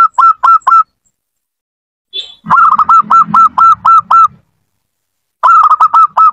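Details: Zebra dove song used as a lure to get a reluctant caged dove singing: bursts of rapid, evenly repeated mid-pitched cooing notes, three short ones, a pause, then a run of about ten, silence and another quick run.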